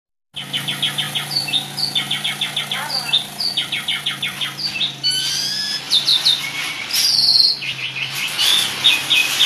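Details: Asian pied starling in full, lively chattering song packed with varied phrases: a run of quick repeated high notes in bursts, then sweeping whistles and harsher rattling notes, with a low steady hum underneath.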